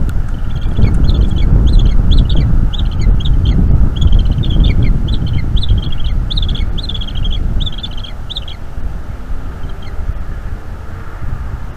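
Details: Eaglet of a bald eagle pair, North East Florida nest, begging and chattering as its mother feeds it squirrel at about 8 PM on 5 May 2021. Long fast series of sharp, high chirps for eight seconds, then wind alone.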